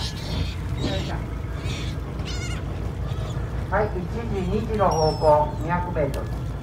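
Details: Black-tailed gulls (Larus crassirostris) give nasal, cat-like mewing calls sliding downward, several in quick succession, over boat-engine drone and people talking, on an early autumn sunset cruise in Mikawa Bay, Aichi, Japan.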